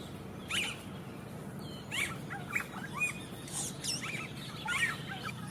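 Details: Yellow-rumped cacique making a lot of noise in the wild: scattered short slurred notes, chips and whistles at irregular intervals, over a steady low background hum.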